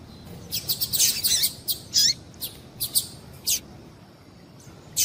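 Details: Female double-collared seedeater calling to excite males: a busy sequence of high, thin chirps and short slurred notes packed into the first few seconds, then a pause and a final chirp.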